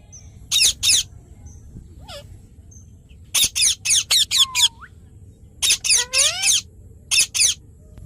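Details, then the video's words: Parrot uttering loud, rasping squawks in quick runs of two to five, mixed with a slurred rising whistle and a bent, descending chirp, with brief silences between runs. "Parrot Chirping Sounds"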